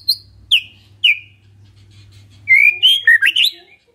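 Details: White-rumped shama song as a lure for a response: three spaced descending whistled notes, then a warbled run of rising and falling whistles, with a faint low hum.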